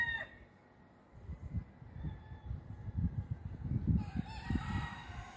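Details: Early-morning rooster crow at Attard, Malta, on 22 August 2022, a strained, harmonic crow rising out of a constant low rumble in the last second and a half, with a trailing note heard at the very start.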